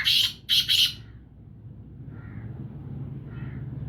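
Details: Six-month-old black francolin chick, kept in captivity: three loud, harsh, rasping bursts in quick succession, then two faint, soft, short notes after a pause, with a low steady hum behind.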